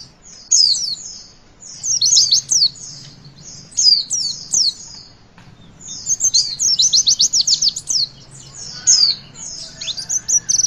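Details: Javan white-eye song for training young birds to sing: repeated bursts of high twittering and rapid chirp trills with brief silences between phrases, over a low steady hum.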